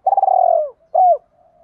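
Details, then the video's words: Fragment of a spotted dove's Thổ Pha đồng lure coo for drawing wild doves: a long, pulsing, gently falling coo followed by one short curved note and a faint trailing hum. "Cu gáy giọng Thổ Pha đồng thúc rút chim bổi cu gáy rừng nhanh về cội"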